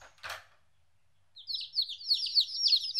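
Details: Domestic chicken chicks, 14 days old, separated from their mother for the first time, start peeping after a short thump; high, downward-slurred peeps run quickly and overlap over the last half.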